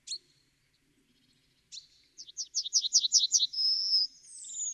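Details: Yellowhammer song: two brief high call notes, then a quick run of about eight repeated, slightly buzzy notes that ends in a long, drawn-out, high sustained note, followed by a fainter trailing tone.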